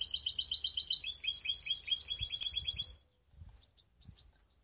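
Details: Mixed canary (baster) in Skopje sings a long, fast rolling trill of high, evenly spaced notes for about three seconds, then falls silent apart from faint soft clicks.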